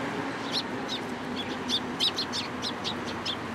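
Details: Sparrows flocking into a cherry tree at a Tenmangu shrine, 22 March 2023, give a lively run of sharp, high chirps, about three per second, uneven in spacing, over soft constant background noise.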